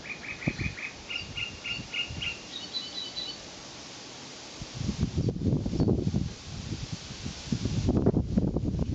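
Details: Great reed warbler at Stubbe Sø, Denmark, on 12 June 2013, singing a brief run of repeated grating notes, several per second, stepping higher at the end; gusty wind rumble follows.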